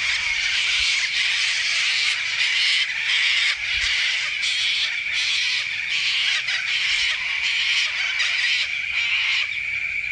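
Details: A flock of corellas in the Grampians, Victoria, Australia, keeps up a dense, harsh screeching, with raucous overlapping shrieks rising and falling about once a second and no quiet gaps.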